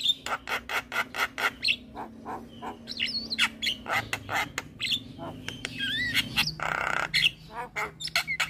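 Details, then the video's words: Javan myna song aimed at getting other mynas singing: quick rhythmic harsh notes, whistled slurs and squawks over a steady low hum. "Jalak Kebo Gacor Full Isian Bikin Heboh Semua Jalak Yang Dengar"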